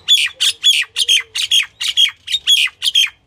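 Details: Female common myna, also called Indian myna, calling: a rapid series of harsh, squawky paired notes, about ten bursts in three seconds at an uneven rhythm, clear and close with little background.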